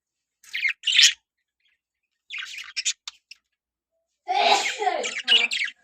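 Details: Budgerigars from a breeding colony: short harsh, buzzy chirps in clusters, then a louder, dense stretch of grating chatter near the end.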